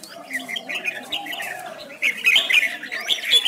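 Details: Red-whiskered bulbul singing contest-style song while dancing and spreading its wings, a lure song used to train and spur other bulbuls; bright, rapid chirps and short warbled phrases, growing louder and busier in the second half.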